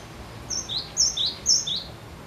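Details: Cinereous tit singing hard to draw song from other birds: three crisp high-low whistled pairs in quick even succession, clear against a faint hiss.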